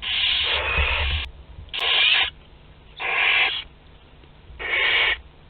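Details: Barn owl chicks aged two to twelve days sharing a group meal at Théding, France, 29 April 2021: harsh hissing screeches about half a second long, repeated roughly every 1.3 seconds, with low background hum.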